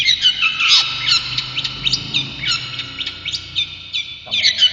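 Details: Brown shrike, a kept songbird known for copying other species, singing a busy mix of high chirps, short rising and falling whistles, and quick note clusters, with a soft low hum behind.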